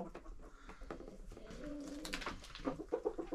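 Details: Domestic chickens and roosters, about 25 in a village yard coop, being fed by a woman; soft clucks over scattered pecking clicks, then a run of short, clear, repeated clucks near the end.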